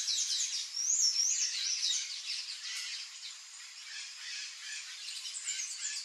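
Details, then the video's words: Palm tanager singing a fast run of thin, squeaky high notes, with a brighter wavering slur near the start, then softer jumbled twitters continuing to the end. "SANHAÇO-DO-COQUEIRO canto (THRAUPIS PALMARUM), PALM TANAGER"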